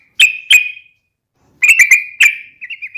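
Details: Fighting call of a yellow-vented bulbul meant to trigger a reply from other bulbuls: two sharp ringing notes, a pause, then a quick cluster of bright notes and a soft, wavering trill.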